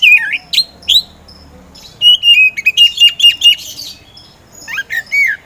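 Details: Kacer poci, an Oriental magpie-robin, singing vigorously after a slow start. It gives a few separate swooping whistles, then a dense run of rapid chattering notes over a steady whistled tone, ending in more down-slurred whistles.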